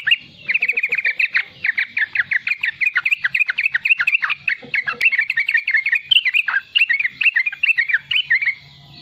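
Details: A young sooty-headed bulbul delivers a nearly unbroken riwikan stream of fast, clipped chirps, each note dipping in pitch. The steady chatter serves as a lure to coax song from juvenile and raw bulbuls.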